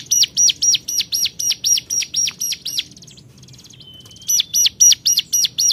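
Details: Hill prinia calling to rivals: a fast series of loud, sharp chirped notes repeated about four times a second, broken by a pause of softer scratchy notes and a thin whistle before the rapid chirping resumes.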